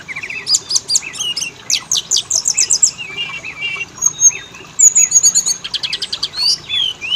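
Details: Oriental magpie-robin (kacer) song used as a lure to make males and females sing: rich, varied phrases of sharp high chirps, rapid trills and short whistled notes, delivered in quick bursts with brief pauses.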